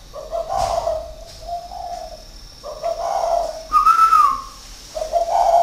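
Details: Spotted dove, a caged decoy of six years from a Ba Vì aviary in northern Vietnam, delivering loud repeated coos: low throaty notes, one rising whistled phrase midway, then more cooing, with little other sound.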